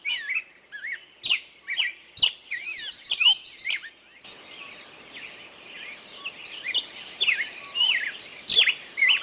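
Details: Birds singing in a forest with scattered sharp chirps and twisting whistles, a busier stretch of overlapping song in the middle, and a steady background hiss.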